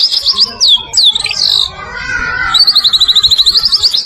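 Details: Medan-type white-rumped shama singing as a training voice for other birds. Looping, swooping whistled phrases come first, then after a short lull a steady, fast, high-pitched trill runs to the end.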